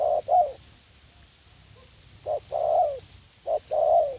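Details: Dove cooing in a garden at U Minh during spotted dove decoy trapping; three phrases, each a short hoarse note followed by a longer, broad, falling coo.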